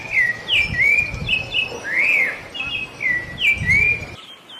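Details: Small wild bird singing sweetly: clear whistled phrases that slide up and down, some arched, some dipping, repeated with short gaps over four seconds above a low background rumble.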